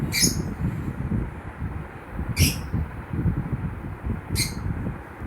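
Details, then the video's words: Lovebird chirping: three short, sharp, high squeaky chirps spaced about two seconds apart over a steady low rumbling background noise. "Love birds Chirping Sound"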